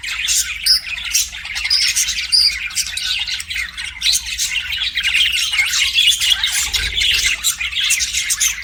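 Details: Continuous high warbling chatter of pet budgies, rapid buzzy chirps blended with a few short whistled notes, and a brief soft low sound late on.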